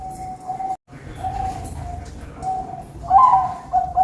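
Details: Zebra dove at a bird farm in Pamekasan, Madura, giving soft, steady cooing notes in a low pitch, with a more wavering phrase near the end, over a dense background of noise and other birds.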